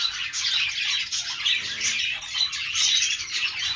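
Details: Budgies chirp and warble together, a busy high scratchy chatter with rising squeaky notes about once a second.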